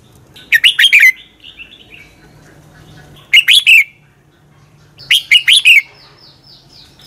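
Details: Red-whiskered bulbul singing a combative training song: three bursts of quick, slurred whistled notes, each under a second, with a faint steady hum in the background.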